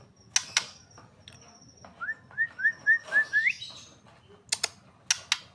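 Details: Young long-tailed male white-rumped shama giving a quick run of about seven short whistled notes, each slightly rising, the last one higher, framed by sharp clicking sounds before and after.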